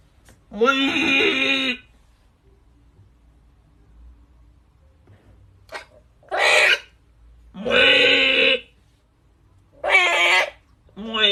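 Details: Parrot calling while bathing indoors: four harsh, rasping squawks, each about a second long with rich buzzy overtones, separated by pauses of one to three seconds in a quiet room.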